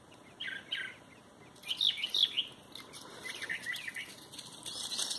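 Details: Unidentified birds, not the mockingbird first suspected, give quick high chirps in rapid clusters, several notes per second, over a constant thin high background tone outdoors.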